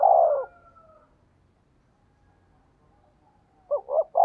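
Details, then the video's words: Spotted dove decoy call, fast thổ đồng style: a long coo fading at the start, a quiet thin whistle, then two quick coos opening a new phrase. "tiếng cu gáy mồi chuẩn, cu gáy thúc gù giọng thổ tốc độ"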